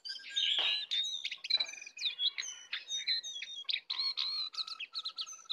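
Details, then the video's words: Sooty-headed bulbul, a wild bird singing against a caged one in a heated contest, full filler song: dense run of sharp whistled notes and quick slurred chirps, high and tightly packed, with a few harsh bursts near the start. "pertarungan sengit antara Jongkangan liar vs jongkangan sangkar, full isian"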